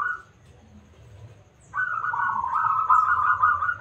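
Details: Local zebra dove, strong-voiced and used as a singing lure; a brief coo, a quiet spell, then a loud sustained bubbling trill that runs to the end, with low background hum.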